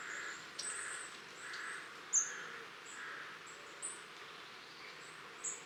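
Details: A flock of long-tailed tits visiting a Cornwall garden on 23 October 2015 gives very high, thin, short notes scattered throughout, with a lower, hoarse note repeated about twice a second in the background.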